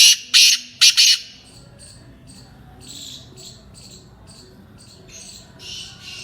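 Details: Black francolin of the Sindhi type (Kala Tetar) gives a quick burst of three loud, rasping notes at the start. Soft chirps of small birds continue faintly behind.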